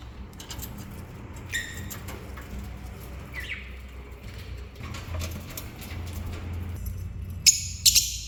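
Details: Lovebirds at a dinner table indoors give a few brief, shrill chirps and one rising squeak, ending in sharp, piercing screeches over a steady indoor hum with faint background music.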